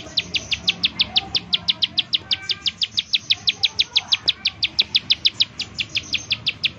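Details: Bar-winged prinia repeating sharp high chips at about three per second in continuous 'nembak' shooting style, used as a lure so other prinias will sing; light background noise underneath.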